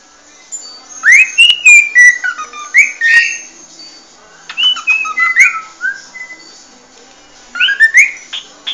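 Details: Cockatiel giving its original species song, a string of bright rising and falling whistled notes in irregular bursts separated by brief pauses, with faint clicks in the background.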